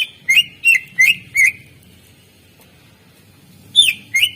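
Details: Greater green leafbird, a master recording for encouraging idle birds to sing: four quick, bright whistled slurs about every third of a second, a pause, then two higher sweeping whistles.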